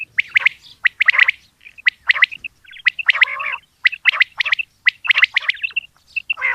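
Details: Female common quail calls at dawn in a rapid series of sharp, chirpy clusters with occasional softer notes. The bursts come irregularly, and the background is quiet.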